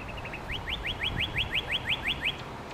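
Northern cardinal song: a quick run of about a dozen clear, rising whistled notes, steady and fast, over a faint low rumble.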